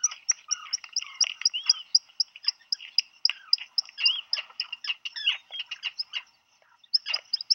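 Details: At a burrow on Seal Island National Wildlife Refuge, Maine, USA, 27 June 2020, Black guillemots call as a mate brings food for a chick: a rapid string of thin, high peeps, about four per second, mixed with lower wheezy notes.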